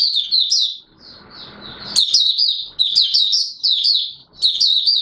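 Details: Oriental white-eye singing on 24 March 2022. Shrill, rapid chittering phrases of up-and-down notes, with a soft hiss under one softer phrase, then a run of bright twitters repeated almost without pause.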